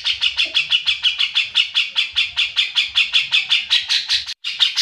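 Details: Cucak jenggot (grey-cheeked bulbul) in continuous song: nearly five seconds of quick, harsh chattering notes, about five per second, broken by one very short gap near the end.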